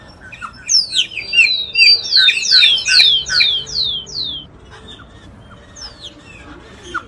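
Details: Giant cowbird song from the Amazon in Brazil: a run of high, squeaky whistled slurs, each sweeping downward, given about three per second in a short series. Afterwards a few faint scattered notes follow in a quiet background.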